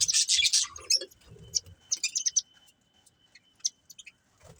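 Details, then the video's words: Breeding pair of budgies giving a loud burst of high twittering at the start, then sparse sharp chirps and clicks separated by short quiet gaps. "Cute Budgies Chirping Sounds"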